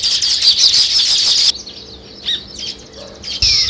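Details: Sparrow chirping around weaver birds at work on a nest, a loud dense run of buzzy high chirps for a second and a half, then sparse faint notes and a fresh burst.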